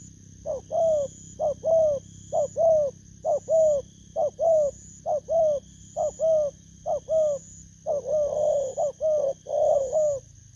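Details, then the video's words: Caged spotted dove, recently caught from the wild, recorded in Vietnam on 19 August 2024. It gives steady paired low coos, two quick notes per phrase, about once a second, then fuller rolling coos near the end. A constant thin whine runs underneath. "Kèo Thu phục Thổ cấn Bầu"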